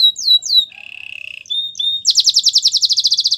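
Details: Training song from a Belgian canary: a few sweeping whistles, a low rolling trill, short level whistles, then a loud, fast series of pulsed falling notes.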